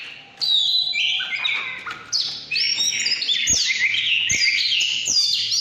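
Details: Oriental magpie-robin singing căn lửa: after a brief lull, loud rich whistled phrases burst out, varied and tumbling, broken by a few sharp clicks.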